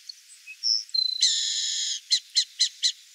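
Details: Burrowing owl (Athene cunicularia), wild in Brazil: a few faint thin whistles, a quick stuttering burst, then a long harsh rasping screech followed by four short evenly spaced raspy notes.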